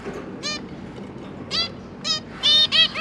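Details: Zebra finches kept indoors, two parents and three young just out of the nest, recorded 31 October 2022 during feeding: brief, bright, nasal honking calls spaced about half a second apart, closing with a quick louder pair.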